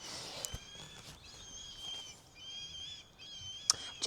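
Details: Two red kites mating in a tree beside an Oxfordshire, UK allotment in March give thin, high, drawn-out, slightly wavering whistles in four long phrases over four seconds, with a few sharp clicks and faint rustling.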